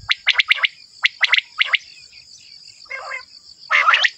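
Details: Male common quail calling: short groups of three sharp, liquid notes come in quick succession, then a pause and a rougher, fuller burst near the end, all over a steady thin high hiss.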